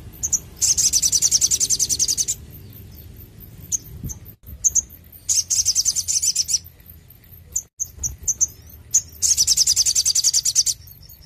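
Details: Sogon in lively, persistent song, used to coax captive birds into singing: three bursts of very high, rapid buzzy trills, each roughly one to two seconds, broken by sharp single chips and short pauses.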